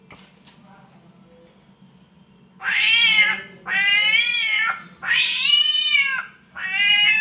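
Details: Cat mating call imitated by a samyong bird: after a short whistle and quiet pause, four loud, harsh, yowling wails come about a second apart. A low steady hum sits in the background.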